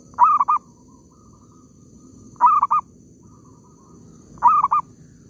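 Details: In an oil palm plantation where zebra doves are being caught, one bird repeats its call three times, about every two seconds: a rich coo then a pair of short stuttering notes, with faint murmuring background.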